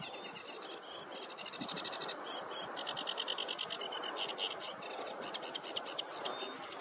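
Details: Sedge warbler on a meadow on a warm morning, 2 July 2024, pouring out quick, chattering, buzzy repeated notes in a continuous high rattle, with a constant hiss of ambient noise underneath.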